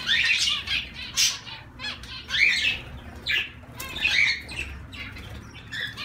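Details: Zebra finches giving loud nasal calls in irregular bursts about every second, mixed with softer chatter and possible wing flutters.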